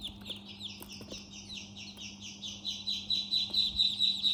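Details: A group of chicks in their house gives rapid, high, piercing peeps, each sliding downward, nearly continuous and growing louder toward the end, over a steady low hum.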